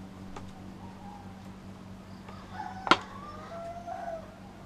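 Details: Roosters at 4 am in Pemuteran Village, Bali, giving their early morning wake-up crowing: faint, distant drawn-out harmonic crows over a steady low hum, with a sharp loud click near the end.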